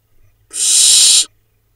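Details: Close nest-cam recording of preening barn owl chicks in Israel's Hula Valley, 7 July 2021. A soft tap is followed by a single sustained, airy hiss of about three quarters of a second.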